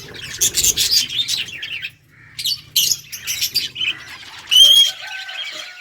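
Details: Yellow budgerigars, Australian parrots, chirping on August 6, 2024: bursts of bright warbling chatter with short whistled notes, broken by a pause near two seconds, then more rapid chirps and a clear rising whistle.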